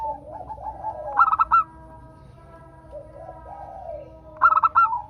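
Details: Local zebra dove song used as a lure to get other zebra doves singing. Two bursts of staccato ringing notes, each ending in a longer note, about three seconds apart. Soft lower cooing sounds between them.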